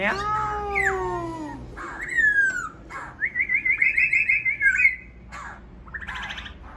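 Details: Laughingthrush singing: a rich, harmonic, downward-gliding wail opens the phrase, then a rising whistle and a fast rippling trill of repeated high notes, ending in softer buzzy bursts.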